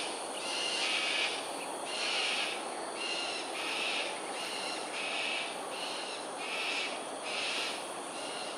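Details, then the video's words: Sustained series of about eight harsh screeches, roughly one per second, from cockatoos during an aerial display at Sungei Ulu Pandan, Singapore, 7.43am, 13 January 2022, over a steady hiss. "Cockatoos "Aerial Display""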